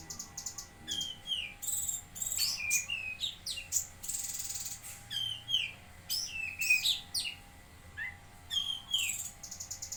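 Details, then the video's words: Cucak kinoi, the lesser green leafbird, singing actively in Jambi: a dense, varied medley of sharp upslurred and downslurred whistles, rapid buzzy trills and rattling note trains, with brief pauses between phrases. "Burung Cucak Kinoi Gacor"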